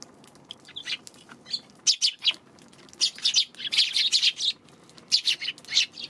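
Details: Sparrows on 2 March chattering in lively overlapping chirps, short high notes tumbling in clusters that swell around two, four and five seconds, with barely a pause between bursts.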